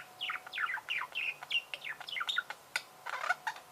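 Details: Budgerigar warble: quick, evenly spaced chirps and squeaks, several per second, each sliding down in pitch, ending in a slightly harsher, grating burst.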